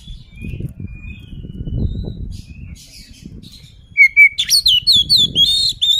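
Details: Oriental magpie-robin singing; after about four quiet seconds of low background rumble, a burst of loud, repeated rising-and-falling whistled sweeps follows in quick succession.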